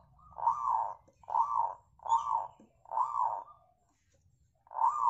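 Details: Local zebra dove song used as a lure to prompt other birds to sing: rounded, arched cooing notes repeated about once a second in a steady series, with a brief pause before the last note, indoors with a faint low hum.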